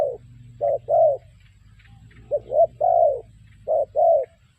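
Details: Spotted dove used as a lure for trapping, giving mellow hollow coos in paired groups, short and longer notes, over a steady low engine-like hum in the background.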